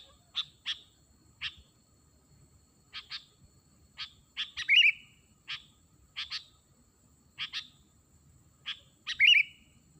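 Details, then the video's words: Sooty-headed bulbul calling to lure wild birds: short sharp chirps, single or paired, repeated irregularly about thirteen times a minute, with two louder trilled, bubbling notes near the middle and end. "pikat kutilang manggil burung liar"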